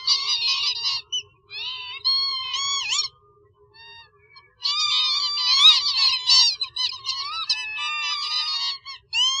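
Northern lapwing giving wheezy, nasal, slurred calls that bend up and down, running in quick bursts with a short pause midway; a faint low hum underneath.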